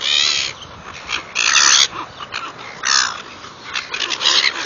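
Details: Noisy seagulls being fed, giving harsh, grating squawks in loud bursts of about half a second, several close together, with a steady hiss of background noise between calls.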